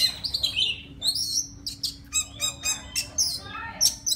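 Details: Forest Oriental magpie-robin's mate-calling song: a few drawn-out whistles followed by a quick series of sharp, evenly spaced chirps, with a faint steady hum underneath.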